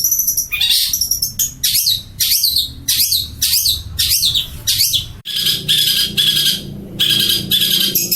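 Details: Long-tailed shrike of the Madura type, a trained contest champion, singing loudly: rapid varied phrases of high, harsh chattering notes and sharp chirps in bursts, with short pauses between them, indoors.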